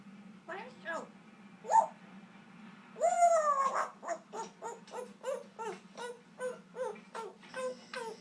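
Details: Pet Congo African grey parrot, 20 years old, indoors, making up its own songs: a few short talking-like notes, then a bright rising whistle and a quick run of about a dozen clipped, evenly repeated vocal pops, over a low steady hum.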